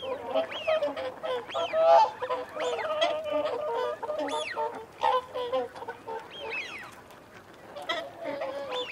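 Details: Whooper swans making feeding and territorial calls, a low, busy mass of nasal trumpeting notes, mixed with repeated arched whistles from wigeon and the company of mute swans.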